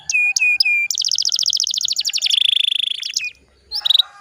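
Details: Canary song used to stimulate other canaries to sing, Indonesia; three looping whistled notes, a rapid rolling trill of repeated downslurred notes shifting to a lower buzzy roll, then a brief chirp.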